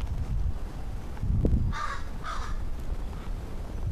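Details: A pair of short harsh caws about half a second apart from crows giving warbles and odd sounds, 14 August 2013, heard over dull wind-like rumble and a brief low thump.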